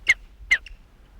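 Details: In a severely burned forest on the Montana-Idaho border, a Black-backed Woodpecker, probably the female near a nest while the male is on a drumming post, gives two sharp, harsh, drawn-out calls about half a second apart, then a fainter note.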